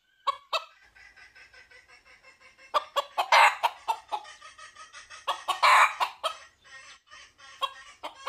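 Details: A red junglefowl calls to find a mate: a soft, steady clucking patter breaks into two loud, rasping crow-like bursts amid sharp clucks.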